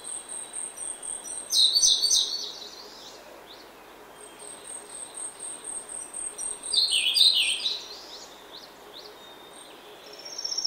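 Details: A Grey-backed thrush in oak woodland in early morning delivers two loud, fluty, trilling phrases about five seconds apart, backed by a steady high-pitched insect drone and soft distant chirps.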